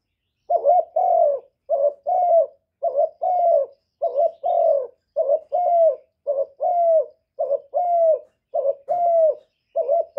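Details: Cooing of a caged spotted dove, recorded directly without background noise to stimulate wild doves. A steady run of about fourteen mellow two-note coos follows at an even pace, each a brief note and then a drawn-out falling one.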